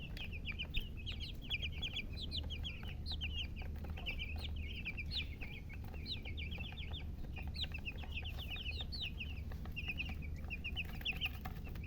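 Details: Baby chickens peeping: many short, high chirps in loose clusters with brief gaps, some notes sliding upward, set against a constant low background hum and occasional soft knocks.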